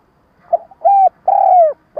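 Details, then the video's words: Stuttering spotted dove lure call, used by trappers to stir wild birds into calling: a brief soft note, then two smooth low coos, the last longest and gently falling, with another coo just starting. "Tiếng cu gáy mồi cà lăm gù - gáy - thúc kích bổi nhanh nổi"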